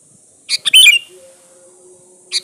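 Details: Lure recording of a sooty-headed bulbul: one quick cheerful phrase of two clipped notes leading into a bubbly warble lasting half a second, then the start of the next phrase; faint high hiss throughout.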